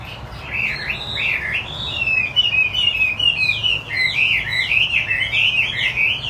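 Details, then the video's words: Chinese hwamei, wambi putih, in full gacor song: continuous chain of sweet whistled slurs and trills, swooping up and down, dense and lively throughout, faint low hum behind. "Hwamie Wambi Putih Gacor"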